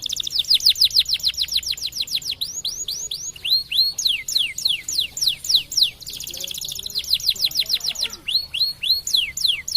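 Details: Canary, a white canary, sings a fast, continuous stream of bright whistled notes, mostly quick downward sweeps repeated in rapid rolls, with buzzy trills mixed in.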